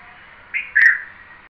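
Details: A single call from a red-vented bulbul: one short whistled note, a brief pause, then a louder slurred chirp fading away, over low background hiss.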